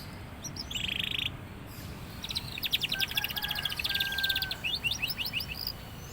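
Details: Young canary coming into full song: a brief buzzy note, then a long run of rapid rattling trills and clipped whistles lasting about three seconds over background rumble.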